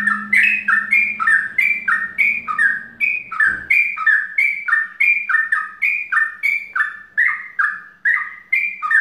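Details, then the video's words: Yellow-vented bulbul calling in a fast chattering sequence of squawky two-note phrases that step downward, repeated about three times a second, with a steady low hum early on and a single knock partway through. "Suara trucukan mbandul ropel"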